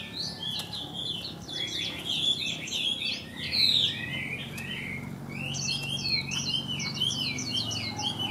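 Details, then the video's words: A caged hwamei, said to be in weak condition from little care yet still singing when hung out, gives a rich, continuous run of varied, fluty whistles and slurred notes, high-pitched and rapid, with faint background noise. "Treo Ra Vẫn Hót Lai Rai"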